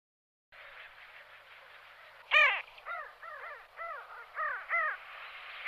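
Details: Pin-tailed sandgrouse (Pterocles alchata), Belchite, Zaragoza, Spain, July 2019, giving harsh, nasal, arched notes, often in pairs, repeated several times over a few seconds against a steady background hiss.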